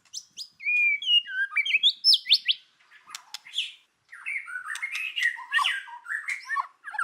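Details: White-rumped shama giving forest-voice kéo thuốc lào song, sung to provoke other birds: clear whistled slurs and sharp ticks, a brief gap, then a dense jumble of warbled, chattering phrases.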